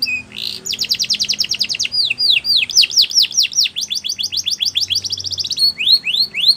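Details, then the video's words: Canary in varied song for canary training: a short whistle and buzz, a rapid rattle, a long series of ringing downswept notes, a rolling trill, and rising slurs at the end. "Best Canary Sounds !! Suitable For Canary Training"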